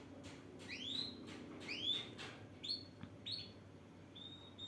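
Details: Male canary calling to a female: bright, thin whistled notes sweeping upward, given in pairs about a second apart, then shorter flat whistles, over a steady low hum.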